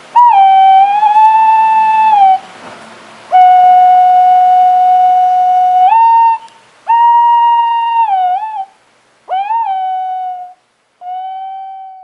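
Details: Singing White-bellied green pigeon giving a string of five to six clear, flute-like whistles, several held for two to three seconds, some ending in a quick dip and rise in pitch.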